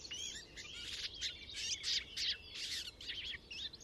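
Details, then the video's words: Garden warbler song from a hedgerow, captured on a MixPre 6 II and Telinga dish: a fast, even flow of bright warbled notes and brief trills, delivered in short bursts with tiny pauses. "Garden Warbler Song"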